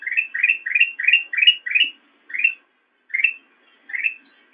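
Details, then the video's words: Black-crested bulbul song made for training caged songbirds: a rapid run of six rising whistled notes, then slower spaced repeats of the same upslurred phrase, ending on a higher note, background quiet. "Ocehan Burung Kutilang Emas"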